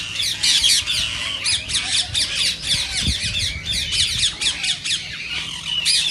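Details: Green rose-ringed parakeet calling, played to stimulate other parakeets to sing and mate; continuous shrill, rasping screeches in quick succession, with overlapping callers and a single low thump midway.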